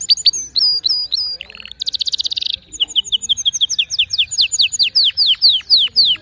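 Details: Canary sings distinctive notes: bright repeated whistles, a dense buzzy burst, then a steady run of descending notes repeated about four times per second.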